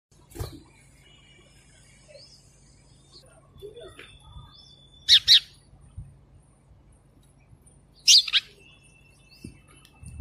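A sparrow gives two loud bursts of sharp, high chirps a few seconds apart, with fainter whistles from other birds and a low hum behind.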